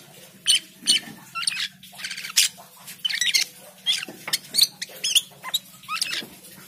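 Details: Asian pied starling in full chatty song, used as a lure to prompt other starlings to sing: loud squeaky whistles, rising and falling squeals and harsh chattering notes in rapid, varied bursts, with a faint low steady hum beneath.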